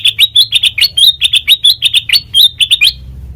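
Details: Melodious sooty-headed bulbul song, used as a training lure for other birds: fast, steady chain of bright chirps with slurred upward notes and sharp clicks, ending abruptly after three seconds.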